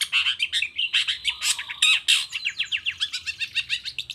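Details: Long-tailed shrike in full song, used as a lure to make other shrikes answer; dense run of harsh chattering notes and sharp chirps, ending in a rapid series of repeated downslurred notes.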